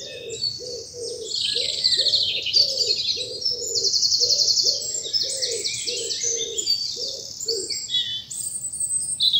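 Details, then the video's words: Morning chorus in spring bluebell woods in the South of England; bright high trills and chirps from several birds above a steady run of low rhythmic coos. "Birdsong and bluebells in the morning sun"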